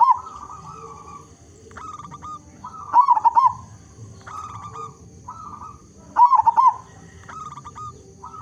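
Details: A vigorously singing local zebra dove with a big voice, meant to prompt others of its kind to sing. Bursts of stuttered coos lead into two loud wavering, rolled phrases about three seconds apart.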